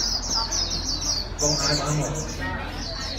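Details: Caged white-eye trained for fast singing gives quick, high twittering notes in dense repeated bursts, pausing briefly mid-clip, with low hum in the background.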